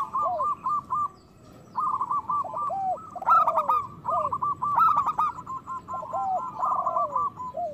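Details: Local zebra doves, recorded to lure silent birds into song and breeding mood, give choppy bursts of stuttering coos with lower falling notes. Two louder bright phrases ring out amid near-continuous calling.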